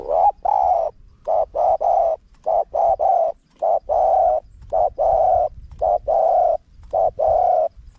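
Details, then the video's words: Spotted dove cooing in a wild-style, small-voiced phrasing used as a lure for wild doves: loud, steady series of short and long mellow coos in pairs, about one per second, with brief pauses between. "เสียงนกเขาใหญ่ คารมป่า (เสียงเล็ก) มีขัด มีหนุน คูอ่าง"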